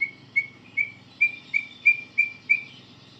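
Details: White-rumped shama practising its song: a quiet series of eight short whistled notes on one pitch, repeated about three times a second.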